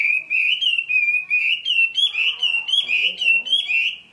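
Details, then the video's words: A Chinese hwamei from Hai Phong singing well: a loud, rich run of warbled whistles, phrases sliding up and down with barely a pause between them. "Họa mi hót tốt"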